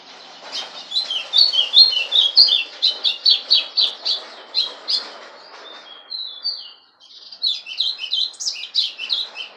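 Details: Golado (Rusty-collared Seedeater) kept as a pet sings loudly: a rapid run of varied chirped and twittered notes, roughly two per second, a short pause with a few sliding whistles, then more fast chirping.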